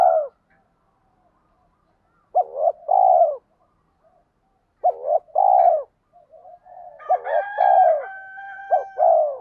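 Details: Spotted dove used as a lure, giving a 'tiếng thúc' stimulating call: pairs of mellow, low cooing notes, a short coo then a longer drawn-out one, repeated every few seconds, with fainter overlapping harmonic tones near the end.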